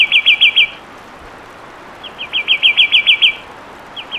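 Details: Whistled trills of a fulvous wren, a short run of looping notes followed after a pause by a longer steady series, then the start of another.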